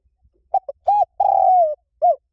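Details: Spotted dove 'Liu Tan' style coo, used for training birds to answer: two short taps, a steady arched note, a long buzzy coo gliding down, and a closing downward-curved note after a short break.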